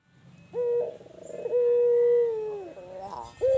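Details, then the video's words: Mellow, sustained coo from a tame albino ringneck dove in a hot place: a brief lead-in note, a long even tone easing downward at the end, then a short rolling trill and a fresh note. "Burung Puter Albino Jinak Manggung di Tepat yang Panas"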